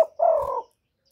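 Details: Spotted dove calling as a decoy to lure wild birds: a single low, hollow coo, short lead-in note then a steady drawn-out tone lasting about half a second, loud and close, with no other sounds.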